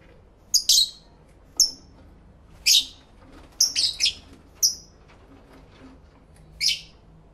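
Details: Pet lovebirds singing and calling to one another, recorded live in stereo with a camera and twin external mics: loose series of piercing, slightly buzzy chirps roughly every second, some doubled, against a quiet background.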